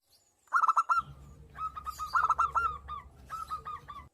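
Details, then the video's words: Local zebra dove in breeding condition calling back and forth with a female: a quick burst of short, stuttering coos, then a pause and two more rolling phrases of repeated mellow notes over a low background hum. "Suara Burung Perkutut Lokal Gacor bersahutan dengan perkutut betina dan perkutut lokal birahi"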